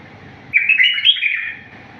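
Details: Bulbul in the wild song style, recorded as a teaching model: a single sweet, wavering phrase of fast linked notes lasting about a second, set against a soft low background drone.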